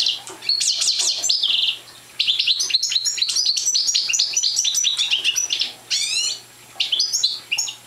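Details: Parva goldfinch, a young bird not in full song yet, sings fast tinkling, buzzy trills and chattering notes in bursts separated by brief silences around two and six seconds; a constant low electrical hum underlies it.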